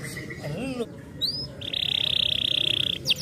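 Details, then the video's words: Canary song played to set silent canaries singing: a few soft slurred notes and a rising whistle, then a long, fast buzzing trill held for over a second, ending in rapid chirps. "Canários silenciosos cantaram imediatamente ao ouvir o som desses canários"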